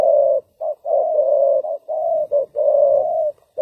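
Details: A caged decoy spotted dove used for trapping wild birds coos loudly and almost without pause, mixing short clipped notes with long sustained coos.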